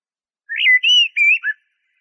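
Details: Eurasian blackbird (jahmoumia) song: four linked mellow whistles that rise, level off and fall to a low final note, all in a silent background.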